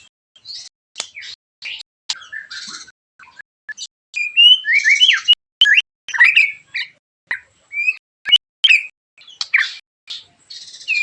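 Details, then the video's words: White-rumped shama in harsh, sharp 'tembakan' shooting song used to provoke other shamas to sing; varied rapid phrases of rising whistles, buzzy notes and sharp clicks, loud chattering bursts through the middle, separated by brief pauses. "TEMBAKAN TAJAM KASAR burung MURAI BATU gacorr memancing agar murai anda ikut NEMBAK"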